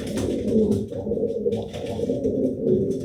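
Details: Indoor pet pigeon pair during mating: an unbroken stream of low, purring coos over three seconds, with little other sound.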